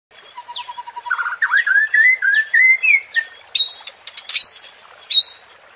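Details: White-rumped shama song used to provoke rival birds: a steady low whistle, then a fast run of rising and falling slurred whistles, ending in sharp high chips and squeaky notes.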